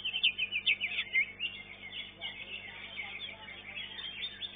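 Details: Greater green leafbird in a singing competition, elite class, caged: a few loud sharp slurred notes open the phrase, followed by a softer, continuous run of quick twittering.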